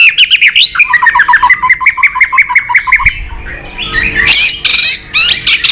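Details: White-rumped shama fighting song with tail-flicking aimed at a rival: a rapid series of repeated sharp, downslurred chip notes for three seconds, then harsh, buzzy chattering bursts.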